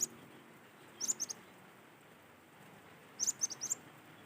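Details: Cinereous tit singing in natural surroundings, used as a lure to get other tits singing: two short bursts of three to four high, sharp whistled notes about two seconds apart, over a steady low background hum.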